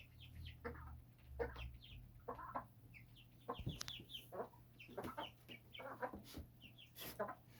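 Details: Birds raised on a home rooftop, chirping: a busy flock of short, overlapping calls and chatter repeated throughout, with a steady low hum underneath.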